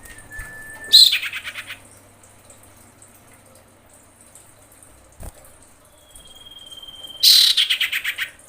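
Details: Female common iora in breeding condition calling to a male: a long thin steady whistle, then a loud harsh rattling burst of rapid pulses fading downward, a second whistle and another rattle, each burst about a second long.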